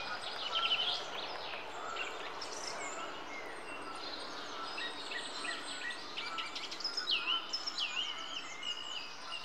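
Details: Long-tailed tits (Aegithalos caudatus) feeding on a fat dumpling in Rombergpark botanical garden, Dortmund, on 14 March 2014, give a steady stream of thin, high see-see notes and short buzzy trills, several overlapping, over soft hiss.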